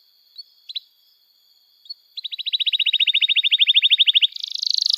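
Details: Canary trill aimed at teaching young birds to sing: a few soft isolated notes, then a long even rattle of sharp high notes that swells in loudness before shifting into a buzzier, faster roll.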